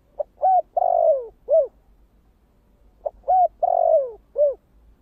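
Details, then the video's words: Spotted dove cooing in the 'thổ kích bổi' voice style: two identical four-part phrases, a short note, two longer falling coos and a final short coo, separated by a pause of about a second, in a quiet room. "Tiếng cu gáy giọng thổ kích bổi"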